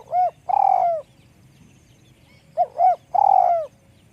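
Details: Two complete spotted dove phrases from a small-voiced bird, each made of short paired hoots leading into a sustained, gently falling coo, about two and a half seconds apart.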